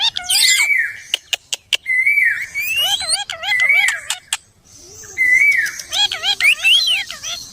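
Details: Pet parrot vocalizing: loud whistled tones, some flat and some rising, mixed with rapid wavering warbles and sharp clicks, in runs separated by short pauses.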